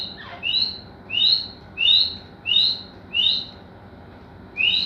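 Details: Grey francolin (teetar, kapinhar) repeats a loud paired whistled phrase, a lower rising note with a higher one, about six times in five seconds at a steady rhythm.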